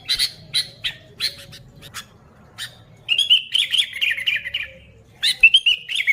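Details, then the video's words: Lively Sooty-headed bulbul, with no other birds mixed in, for luring bulbuls: a few short scratchy notes, then a bubbling, liquid whistled warble and a final quick whistled flourish. "Suara Burung Kutilang Gacor ASLI Tanpa isian, Ampuh untuk Pikat Kutilang"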